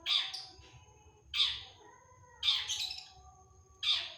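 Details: Long-tailed shrike, cendet, in 'tembakan' delivery: four loud, isolated rasping screeches, each spaced more than a second apart, with quiet between them.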